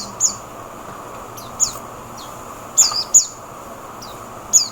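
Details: Oriental white-eye in the Philippines giving thin, very high chirps that slide downward, spaced irregularly across a few seconds over a quiet, steady background hiss.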